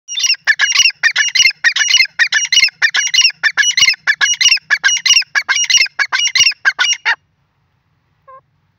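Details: Grey francolin, locally dakhni or desi teetar, recorded in 2023, calling in a loud, rapid run of harsh, squeaky notes about 94 times a minute for seven seconds, then stopping, followed by one faint short note.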